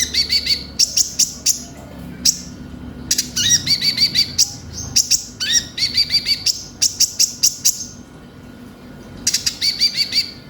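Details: Lure recording of Van Hasselt's sunbird (konin) song for caged birds: long stretches of rapid, piercing twitters and chip bursts repeated phrase after phrase, with a short lull near the end.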